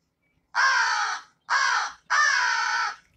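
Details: An American crow, a common bird of southern Wisconsin, gives its caw: three harsh, hoarse caws, each under a second long, in quick succession with short pauses between them.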